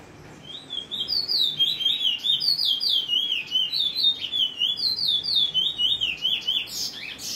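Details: Bullfinch free singing: a rapid, continuous run of high, sweet warbled and twittered notes, rising and falling, about two per second, with a faint room hum beneath.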